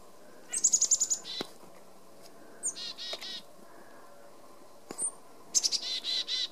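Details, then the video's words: Black-capped Chickadees visiting a feeder made from plastic soda bottles call twice: thin, high opening notes, then a quick run of hoarse, buzzy dee notes, with faint background noise between bouts. "Chickadees visiting feeders Notice thier calls"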